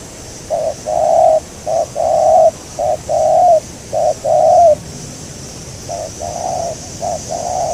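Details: Spotted dove, a local wild bird targeted in decoy bird trapping, gives rapid repeated cooing. Short notes alternate with longer, even coos in a steady rhythm, then a pause and a slightly fainter second series.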